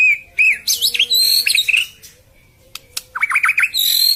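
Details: White-rumped shama song for luring birds: fluent whistles, quick zigzag trills and slurred phrases, then a short gap with isolated clicks before a fast run of dropping notes and a high bright finish.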